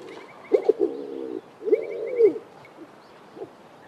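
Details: In a garden in the Eastern Cape, South Africa, a Speckled Pigeon gives deep, hollow cooing in two drawn-out phrases about a second apart, with faint thin chirps from another small bird overhead.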